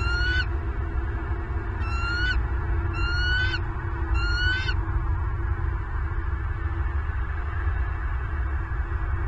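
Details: Bald eagles at a nest in Southwest Florida, filmed by a nest camera on 25 November 2022 at 07:07; four short, sharp, thin calls in the first five seconds, each slightly rising, over a steady low rumble of wind.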